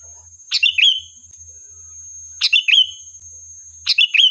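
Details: Sooty-headed bulbul giving its lively song, offered as a lure to provoke a reply: three short phrases of fast tumbling notes, each trailing into a held whistle, spaced about one and a half to two seconds apart, steady hiss underneath.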